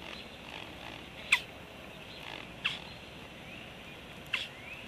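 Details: Juvenile bird arriving on 19 July 2013 gives three sharp, dry clacks about one and a half seconds apart, over a steady hiss.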